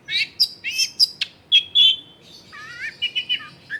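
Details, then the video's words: Long-tailed shrike singing constantly, used as a lure to prompt reluctant shrikes to sing, recorded at home in a crowded neighbourhood; bright, varied chirps and harmonic whistled notes, short bursts followed by lower, slurred warbling phrases. "SUARA BURUNG CENDET GACOR PANCINGAN CENDET MALES BUNYI"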